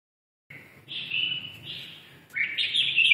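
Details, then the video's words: Red-whiskered bulbul of the red-eyelid (mí đỏ) type singing in the ché style: after a pause, a warbling phrase with a sustained tonal band, then a brighter, louder chattering burst near the end. "mí đỏ siêu ché"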